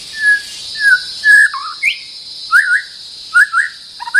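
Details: White-rumped shama used as a decoy song toward a resident territory holder; clear loud whistled notes, level then rising and dipping, given in quick phrases with brief pauses, constant high insect buzz behind.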